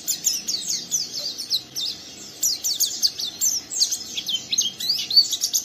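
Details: Young oriental white-eye in full ngeriwik song, goading a second untrained caged bird to join in; rapid high, thin twittering of quick slurred chirps, nearly continuous with short gaps, over a faint low background hum.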